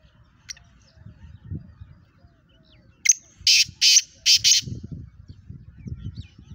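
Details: Pakistani black francolin (kala teetar), a fast caller said to give eleven calls a minute, delivers one burst of five loud, harsh, grating notes in quick succession midway through, with low rumbling background noise before and after.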